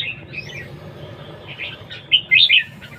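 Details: Red-whiskered bulbul singing in competition: a soft rising whistle and quiet chirps, then loud, bright, warbled notes in a quick burst at the end, with low hum behind.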